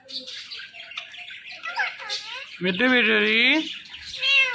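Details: Pet Indian ringneck parakeet talking: soft scattered chirps and squeaks, then a loud, drawn-out, nasal, speech-like phrase with a wavering pitch, followed by a brief higher squawk.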